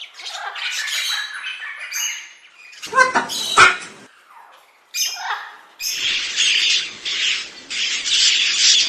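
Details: Rainbow lorikeets, Australian parrots, pour out rasping squawks and scratchy chatter. Calls come in uneven clusters with short gaps, then break into a continuous hissing, screeching stretch to the end.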